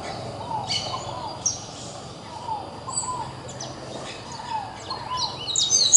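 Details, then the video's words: Courting pair of scaled doves giving soft, low, arched cooing notes in short repeated phrases, with scattered high chirps from other birds and a steady background hiss. "Casal de ROLINHAS Namorando, FOGO APAGOU"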